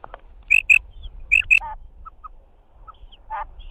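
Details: Two pairs of high, sharp notes from a female quail, followed by softer, lower chirps and a rasping note. Light background rumble is heard throughout.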